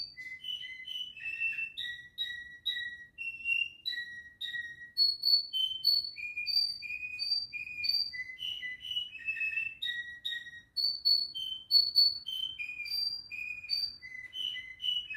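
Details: Pet canary kept at home singing a long varied song of clear whistled notes, short bright phrases stepping between higher and lower pitches, with trills and rapid rolls, almost continuous over fifteen seconds.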